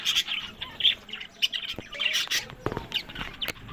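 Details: Breeding budgerigars in Larkana, Sindh, give separate bursts of bright chirps and short squawks with gaps between them, mixed with clicking and tapping noises.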